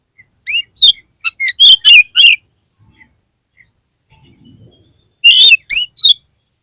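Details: Oriental magpie-robin lure song, meant to rouse a kacer whose spirit has dropped: a rapid string of sharp whistles and harsh slurred notes, a pause with faint low noise, then three more ringing notes.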